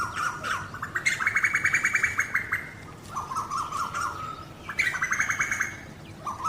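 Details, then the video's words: Male and female Asian koels calling in India during mating; rapid bubbling series of sharp repeated notes rising and falling, about three per second, with a pitch jump partway through and rising whistled phrases between series. "Mating call of Male and Female koels"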